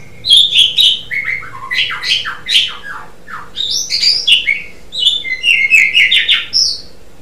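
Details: Dense gacor song of an Asian pied starling, mixing fast chattering notes, falling whistles and squeaky rising phrases with hardly a break for seven seconds.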